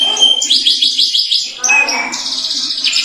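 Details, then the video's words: Canary sings a long, bright, continuous run of high trills and quick repeated chirps, rolling from phrase to phrase without pause; the song is said to prompt other canaries to sing. "Sekali putar Kenari lain ikut Gacor bunyi"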